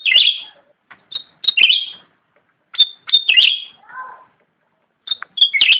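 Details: Black-headed bulbul in lively, energetic song: short bursts of bright, buzzy chirps and quick twittering phrases separated by brief pauses, with one lower warbled note midway; no other sounds.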